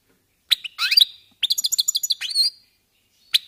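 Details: Goldfinches getting into song, warming up: a few sharp chirps, a quick rising liquid twitter, then a rapid run of repeated tinkling notes ending in a thin upslurred whistle, and one last chip.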